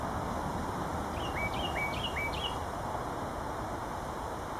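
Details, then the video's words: Carolina wren perched with tail drooped at Jamaica Bay Wildlife Refuge, New York City, afternoon of 29 May 2010, sings a quick run of four ringing, down-slurred phrases, about two per second, half buried under a steady roar of wind or distant traffic. "Carolina wren sing"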